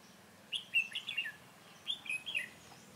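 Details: Red-whiskered bulbul recorded while trapping with a decoy bird: two short bursts of bright, warbled chirpy phrases with quick up-and-down notes, over a quiet background.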